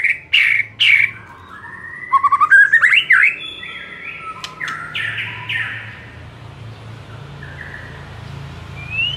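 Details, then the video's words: White-rumped shama training song for provoking fighting-style singing: two sharp bursts, a quick rising rattle of five notes, then soft drawn-out whistles fading over a low hum. "SEKALI DENGAR Murai LANGSUNG NARUNG dengan MASTERAN satu ini"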